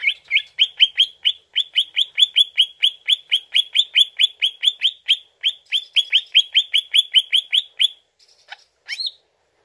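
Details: Greater green leafbird lure song to make the bird respond: a long rapid rattle of evenly repeated sharp chirps, roughly eight seconds, ending with a brief pause and one upslurred note.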